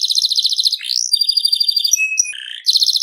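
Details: Seri FI canary in full, vigorous song: a dense rapid trill of high notes, a swooping upslur, clear sustained whistles, then a lower buzzy rattle before the fast trill resumes, with no breaks.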